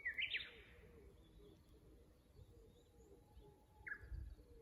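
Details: Japanese bush warbler at a Kusu tank course in Japan, fixed camera, 24 April 2025: the tail of a bright, twisting flourish opens, then quiet, then another brief rising phrase starts, with faint low cooing behind.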